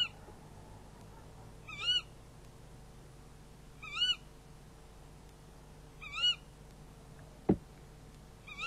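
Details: Tawny owl prey handover at the nest, nest camera, 11 February 2016 near midnight: four short wavy squeaks at roughly two-second intervals and a single sharp knock.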